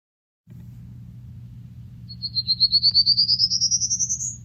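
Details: Prairie Warbler ascending song: a quick series of about fifteen thin, buzzy notes climbing steadily in pitch over two seconds, over a low steady hum.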